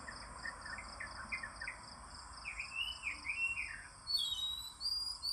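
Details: Soft, fairly distant whistled notes from an oriental magpie-robin in the morning, then a louder high, sharp flourish near the end, all over a continuous buzzing insect chorus.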